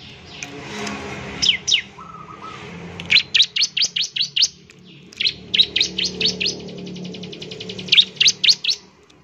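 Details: Bar-winged prinia song meant to prompt other birds to sing: rapid high chip notes in groups of four to six, a faint buzzy trill behind, and a short low whistle near the start over background hum.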